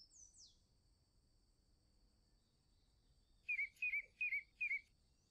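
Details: Chalk-browed mockingbird (sabiá-do-campo) giving four short warbled notes repeated about every 0.4 seconds near the end, after a quiet stretch, with a steady high insect-like tone running throughout and a faint descending sweep at the start.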